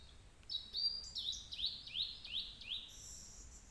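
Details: Blue-and-white flycatcher singing in hot weather: a series of clear, high whistled notes, each sliding downward, delivered about three per second, ending in a thin higher note over faint background hiss.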